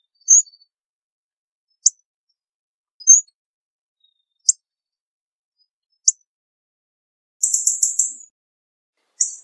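Hawfinch giving sharp, high 'tzik' ticks and short whistled notes every second or two, ending in a brief chattering burst; otherwise silent.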